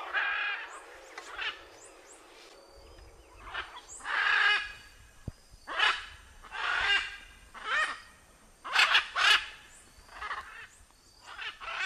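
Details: Macaw calling in nature, a long run of loud, harsh, grating squawks, roughly one per second, uneven in spacing and strength, with short quiet gaps and a sharp click partway through.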